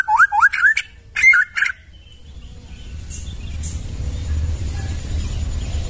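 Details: White-rumped shama singing in the forest, used as a tutor recording for training caged birds: a quick burst of rising whistled notes mixed with harsh clicking elements over the first two seconds, then low rumbling background noise.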